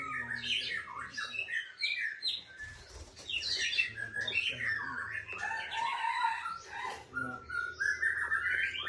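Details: White-rumped shama, called murai Aceh, kept in a breeding aviary, sings a rich, continuous run of varied whistles, quick trills and chattering phrases, notes leaping up and down at mid to high pitch with barely a pause.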